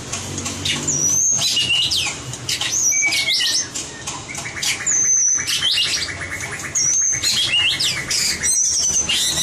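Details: White-rumped shama giving fighting-style competition song for training: a string of high, clear whistled notes, some flat and some swooping, repeated every second or two, interspersed with short sharp clicks.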